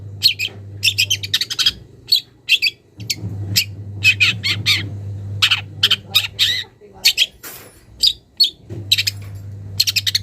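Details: Young long-tailed shrike from the wild calling to a rival, beginning its borrowed phrases: long irregular series of harsh scratchy chips and squeaky notes, sometimes clustered in fast trills, with brief pauses, over an on-off low hum.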